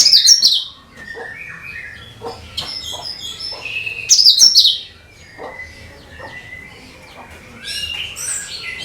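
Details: Cucak kinoi (leafbird) singing, meant as a lure for all bird species. Rich mixed phrases: loud, scratchy, high bursts at the start and middle, with whistled slides and chips between them.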